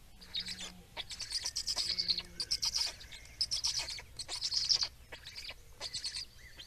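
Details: Black storks in Estonia at feeding time, 17 May 2019: bursts of hoarse, hissing high-pitched calls, repeated in quick uneven runs with short pauses, over a steady low hum.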